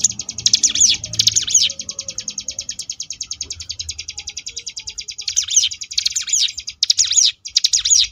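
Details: A Sunda bush warbler sings in the ngebrem manner: steady, machine-like rattling trills of very high, rapid notes run continuously, punctuated by rising and falling whistled swoops.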